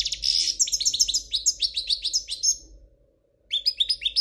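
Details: Goldfinch of the Spanish royal kind in flawless song: about two and a half seconds of rapid, sparkling chirps and buzzy trills, a brief silence, then the twittering resumes at the end. Quiet hum behind.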